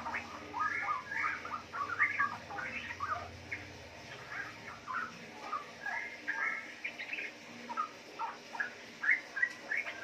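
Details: Caged four-month-old female straw-headed bulbul in Yogyakarta, bred from wild-caught parents, giving busy riwik chatter: rapid jumbled chirps and short warbled notes throughout, over steady background hiss and low hum.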